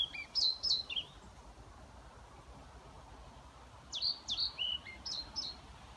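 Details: Male-style song of a European pied flycatcher recorded 29 May 2018 at a care home in Haga, Sundsvall, Sweden: crisp high two-note units falling in pitch, one short phrase then a longer one after a pause, background quiet.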